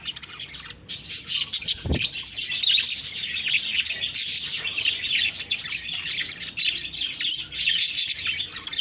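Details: Budgies chirping and talking in a constant high warbling chatter of squeaks and trills, broken early by a single sharp click.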